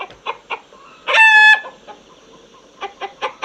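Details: A single short rooster crow rings out mid-clip, bright and harmonic, framed by scattered clucks from nearby chickens before and after.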